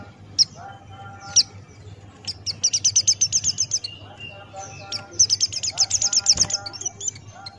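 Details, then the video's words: Buxtoni white-eye master song with fast, evenly spaced high ticking trills in two long runs, scattered sharp chirps and lower steady tones underneath, with a low hum throughout. "Masteran Pleci Buxtoni Ngalas Buka Paruh"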